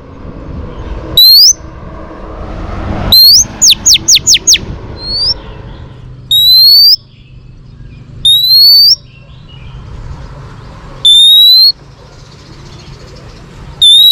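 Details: Female Oriental magpie-robin singing to spur males, used for training: loud rising whistles spaced a few seconds apart. One burst of five rapid descending notes follows, over a faint low hum.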